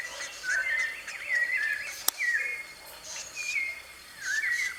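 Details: A free-living white-necked thrush is recorded live in nature. Several quick, warbled, whistled phrases rise and fall, with a brief pause after a sharp click midway, then more slurred notes against light ambient noise.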